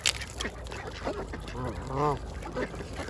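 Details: Ducks feeding at a pond, a few scattered quacks followed by two longer, rising-then-falling nasal calls with strong harmonics, against a low background hum.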